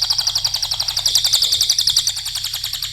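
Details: Cililin in full song, used as a training lure for other songbirds: an unbroken, very rapid, high, chattering trill of evenly spaced rattling notes over a faint low hum.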